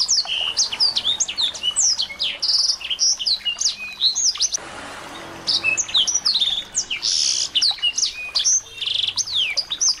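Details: Small birds chattering as a lure for a white-rumped shama; a thick flurry of high chirps, whistles and buzzy notes, briefly hushed around halfway, then resuming as loud as before.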